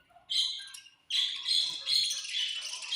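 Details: Budgies chirping at food time: a short high note, a pause, then a sustained burst of dense, buzzy chattering warble from several birds.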